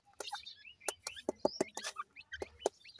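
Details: Dakhni teetar, grey francolin chicks, in Punjab, Pakistan: short high cheeping notes, some rising and some falling, broken up by loud knocking clicks and taps.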